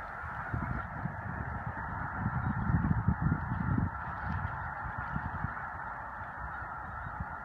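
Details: Spring migration of snow geese near Choteau, Montana, March 2015. Massed honking from many birds blends into a steady din. A louder gust of low rumbling swells in the middle and then fades back to the constant chorus.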